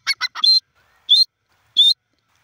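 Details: Black francolin, known locally as Sindhi or kala teetar, calling: three quick harsh grating notes, then a longer high ringing note, followed by two more bright ringing notes spaced about three-quarters of a second apart, over a quiet background.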